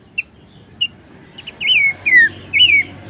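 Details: Bush warbler song used as training material: two isolated short chips, then a run of long, loud, downslurred whistles, each falling smoothly in pitch.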